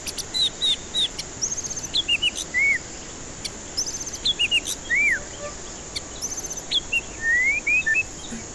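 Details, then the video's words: Varied song of a white-rumped shama, played as a lure to make stressed birds start singing. Clusters of quick paired whistles, downward-curving notes, brief high trills and long rising slurs repeat over several phrases. "Pancingan murai batu ampuh cocok untuk pancingan murai batu stres malas bunyi"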